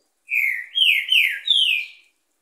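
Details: Caged-style green-winged saltator song on a Monday morning near ten o'clock, four loud whistled notes in quick succession, each a downslurred glide, the last pitched highest, with near silence around.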